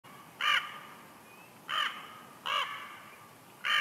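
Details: Bald eagle pair at their nest at Big Bear Lake, California, trading calls as they swap incubation duty: four loud, harsh, harmonic notes roughly a second apart.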